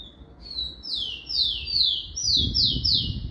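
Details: Rufous-collared sparrow in a cage, warming up its song; a thin opening whistle followed by several loud falling slurred notes in quick succession, with some low handling noise near the end.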